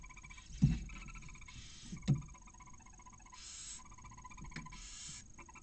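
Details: Inside a barn owl nest in Cabañeros National Park, Spain, with a freshly hatched chick and the male bringing a mouse; short chattering twitters alternate with two long breathy hisses, punctuated by sharp knocks.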